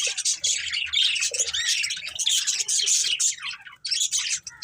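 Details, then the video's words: Colourful budgies, a breeding pair kept as a family, give a dense, continuous stream of high squawky chirps and warbling chatter that barely pauses; soft low background hum. "Colourful Budgies Chirping Sounds"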